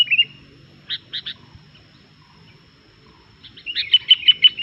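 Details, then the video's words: Sooty-headed bulbul in full vigorous song that riles other bulbuls: a short slurred note, a gap, three clipped chirps, a long pause, then a rapid run of sharp repeated notes near the end. "SUARA BURUNG KUTILANG GACOR INI BIKIN EMOSI BURUNG KUTILANG LAIN"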